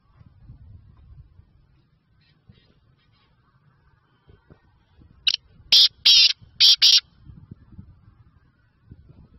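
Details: Kala teetar, the black francolin, recorded in Sindh, Pakistan: after several seconds of quiet low background rumble, a short grating series of four loud, raspy, high notes, two of them longer and paired, then soft rural noise again.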